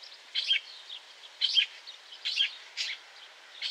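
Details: Lesser grey shrike calling with harsh, rasping chack notes in separate bursts about a second apart, four loud calls in under four seconds over faint hissy background.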